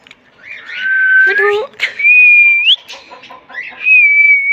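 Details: Talking green Mithu parrot (rose-ringed parakeet) kept as a pet, giving long level whistled tones that rise at the ends, with a brief buzzy voiced passage between them, indoors.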